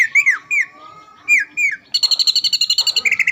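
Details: A caged greater green leafbird, often a champion around Palembang, gives several slurred falling whistles, then breaks into a quick, evenly repeated high trill.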